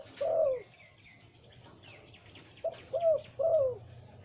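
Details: Breeding male zebra dove with a deep voice, singing in the Liw Tan style: a low, rolling coo, a pause, then three quick bubbling coos, each note dropping slightly at the end. Faint chirps from other small birds are audible.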